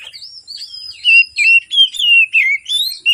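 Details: Oriental magpie-robin singing in the morning as a lure for birds slow to sing: soft high notes, then a quick series of loud, clear whistles, each note sliding up or down.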